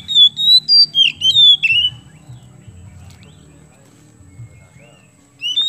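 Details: Oriental magpie-robin, a kept Indonesian songbird, in full song meant to stimulate other birds to sing: a rapid run of clear, slurred whistles in the first two seconds, then near silence and a final whistle, over a faint low hum.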